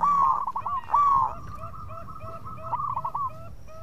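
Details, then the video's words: Local zebra dove in full song, serving as a lure to draw quick answers from rivals: two loud rolling coos, then a long train of softer clipped notes, some lower-pitched, fading out. "PERKUTUT LOKAL GACOR BIANGANYA PANCINGAN LAWAN CEPAT NYAUT"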